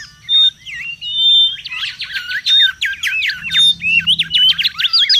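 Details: Mangrove whistler heard in the wild, loud and restless: a dense run of sharp repeated trill notes interspersed with clear flat whistles, continuous throughout; lure and tutor material.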